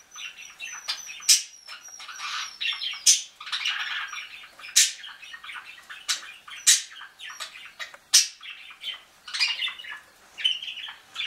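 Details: Belgian canary (Serinus canaria domestica) begging food from a budgie: rapid, harsh chattering calls with sharp high chirps.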